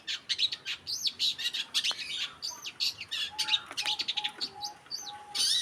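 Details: Cendet, the long-tailed shrike, on a masteran track, pouring out quick, jumbled high chirps and warbled notes, with a series of short, even low whistles pulsing underneath.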